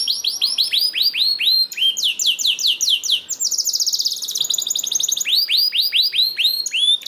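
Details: Canary singing, used to stimulate other canaries to sing: quick repeated high chirps, a rapid metallic trill in the middle, then more fast sweeping notes.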